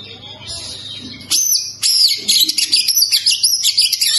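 An Oriental magpie-robin sings a loud, rich stream of quick whistled and chattering notes, varied and rapid, after a second of quiet low hum.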